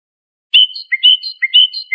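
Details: European goldfinch, Iranian trained Lor goldfinch, singing a recording used to train juvenile songbirds; clean tinkling phrases alternating high and lower notes around a sustained tone, quick repeated twittering motifs, no background noise.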